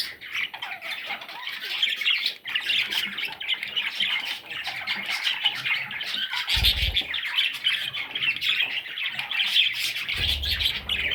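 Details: A group of budgerigar chicks keep up a constant hoarse begging chatter of shrill chirps, with two brief low thuds.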